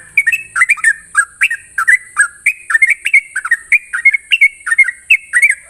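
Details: Sooty-headed bulbul in lively morning song, ropel style: quick strings of fluty, warbled notes that dip and rise, delivered nearly nonstop over a persistent thin high hum.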